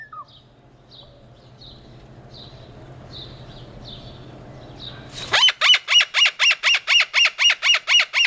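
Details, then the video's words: A Moluccan cockatoo gives its near-deafening flock call: harsh, ear-splitting screeches, about four a second in a steady pulsing run, after a few seconds of soft high chirps and low hum. "How loud is a Moluccan cockatoo?"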